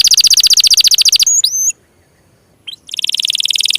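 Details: Canary lure song for coaxing stalled, lazy or juvenile canaries: a rapid pulsing high trill, a few sliding whistles, a short silence, then another quick buzzy trill building up.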